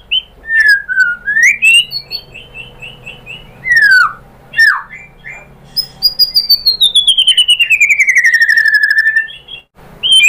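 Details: White-rumped shama singing as a lure to provoke a reply: rich whistled notes, a swooping slur, then a long run of rapidly repeated notes sliding steadily downward over several seconds.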